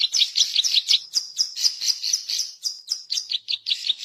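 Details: Zitting cisticola song, used as a lure for trapping and as a tutor recording: a fast, uneven chatter of high, sharp chirped notes, a few slightly longer and slurred, carrying on throughout.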